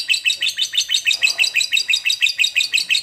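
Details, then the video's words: Lovebird, from advice on making a quiet bird sing actively (gacor): a rapid, even string of high, buzzy chattering notes, about six per second, with no pauses throughout. "Love bird yang jarang bunyi agar Gacor"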